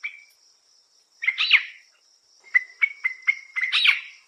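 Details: Sri Lanka Spurfowl, a terrestrial forest bird of wet-zone lowlands and hills, giving its rollicking call: a harsh burst, then a run of clear piping notes ending in a rising, rollicking flourish, over a thin steady high insect-like tone.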